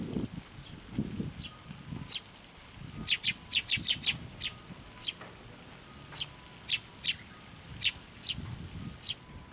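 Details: Sparrow parents and chicks arriving for food set on a post at a Tenmangu shrine, June 2024: bright, high chirps in irregular bursts, a dense run of quick notes midway, with low rumbling and rustle beneath.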